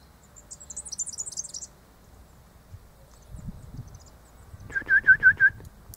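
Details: Superb fairywren, wild, with an immature male and an adult male in full blue plumage present; a rapid, high, buzzy trill lasting about a second and a half, a quiet gap, then five loud, lower, clipped notes in quick succession.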